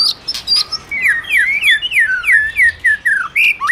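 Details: White-rumped shama male, stimulated by a female, delivering a cascade of bright downslurred whistles in quick succession, each about a quarter second apart, after a few high opening notes.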